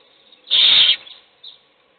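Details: Owl feeding a chick in a nest box, the other young sleeping: one strong, harsh hiss of about half a second, followed by a faint brief echo of the same sound.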